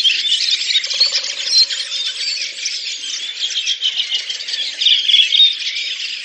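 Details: Communal singing of a Redwing flock, Oka Nature Reserve, Russia, April 2019: high-pitched twittering and squeaks from numerous birds run together without pause, rising and falling slightly in loudness.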